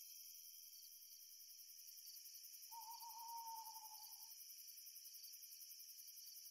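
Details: Owl at night beneath a rising full moon gives one sustained, pure hoot lasting under two seconds that dips slightly in pitch toward the end, with crickets singing continuously throughout.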